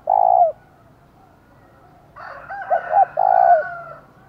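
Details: Spotted dove used as a decoy, its loud call played to draw and provoke wild birds. A long, steady, low coo opens, then after a pause come two short coos and another drawn-out coo over a fainter background call.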